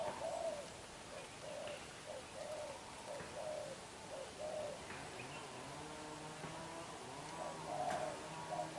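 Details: Vigorous đập gù cooing from a young black-eyed decoy spotted dove, a chain of short soft hoots at an even pace, trailing off, then a louder coo near the end, with light bird chirps behind.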